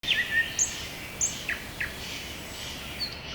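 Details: Birds singing in a spring forest: scattered high thin whistles and short down-slurred chirps, a few calls overlapping against a soft steady background hiss.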